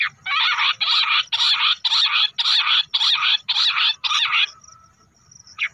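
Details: Quail lure call for hunting, bush quail: nine loud, harsh, grating bursts of about half a second each in an even series, then a pause and the start of another note.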